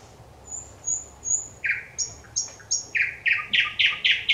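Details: Thrush nightingale song from 25 May 2021: three thin high whistles, then paired higher notes, then a quickening series of loud, hard repeated notes, each with a soft lower echo.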